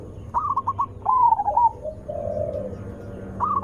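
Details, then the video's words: Zebra dove, loud and melodious, used as a lure for others of its kind. Short stuttered notes lead into a warbling trill, then a softer, lower coo fades out before another burst of notes begins. "Suara Besar Merdu ampuh untuk pancingan burung perkutut"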